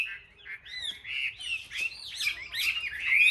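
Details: Caged Chinese hwamei in competitive singing, Vietnam: quieter start building into swooping whistles and loud, looping phrases toward the end.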